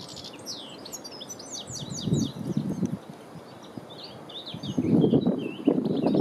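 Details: European goldfinch, a common breeding bird, at Landtong Rozenburg, South Holland, the Netherlands, on 3 April 2021: quick high twittering and tinkling notes tumble together for three seconds, then thinner chirps follow, with low rumbling wind bursts beneath.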